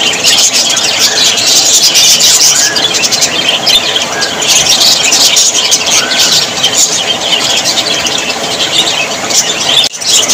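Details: Budgerigars, described as very happy Australian parrots, fill the air with a dense, continuous high-pitched chatter of overlapping chirps and short whistled notes, with a brief dip near the end.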